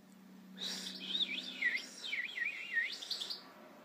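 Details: European goldfinch song: a lively, tinkling twitter of quick wavering notes lasting about three seconds, with a faint steady low hum beneath.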